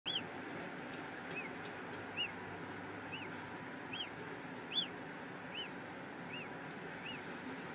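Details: Peregrine falcon in Brussels, Belgium, recorded on 8 April 2016 in the afternoon; clear arched, slightly nasal notes, single or in pairs, at irregular intervals against a steady low urban hum.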